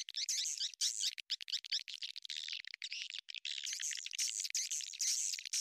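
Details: Swiftlet chatter used as a lure to attract the birds to a bird house: high, buzzy twittering in loud clustered bursts, many calls overlapping, broken by short quiet gaps.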